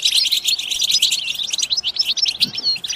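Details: European goldfinches chattering together, rapid tinkling chirps and short trills packed tightly, with a few clearer upslurred whistles standing out near the end and a faint low thump.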